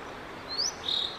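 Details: On May 5, 2022 a male Blue-and-white flycatcher sings for about fifteen minutes; here a single upslurred high whistle is followed by a steady level whistle, with background hiss.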